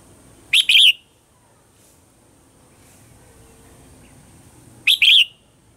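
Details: Red-whiskered bulbul morning song in the 'old forest voice' style, used as a lure recording for training singing birds: two loud, quick doubled whistled phrases, one near the start and one near the end, with quiet between.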